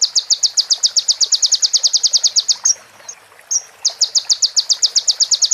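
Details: Konin, a sunbird, in a song-training recording for other birds: long bursts of fast, piercing, high notes repeated steadily, broken by a short pause with a couple of thin whistles before the rapid series resumes.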